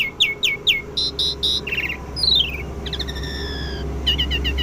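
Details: Asian pied starling kept at home and learning sounds: three quick repeated chirps, a trio of buzzy notes, a long descending whistle, then drawn-out level whistles and a stuttering chatter, with a steady low hum beneath.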